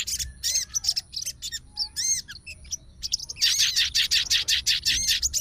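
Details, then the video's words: Agitated fighter sooty-headed bulbul responding instantly to bulbul calls, challenging a rival: a few spaced chirps and looping slurs, then a rapid rattling burst of high notes. "SOGON FIGHTER LANGSUNG RESPON DENGAR SUARA SOGON GACOR"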